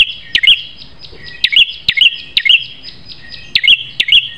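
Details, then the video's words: Prinia with a sharp, fierce voice, recorded to tutor caged prinias. It gives about seven quick, high doubled chirps, each a down-slurred note then a bright tick, in uneven bursts over a faint continuous high tone. "Masteran Prenjak Terganas Suara Pedas"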